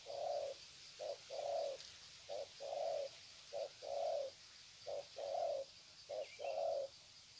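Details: Spotted doves, recorded at Sê San on 21 February 2020, greet each other from the ground with long coo runs. Low mellow short-then-long coos repeat in a steady rhythm over a constant high insect drone.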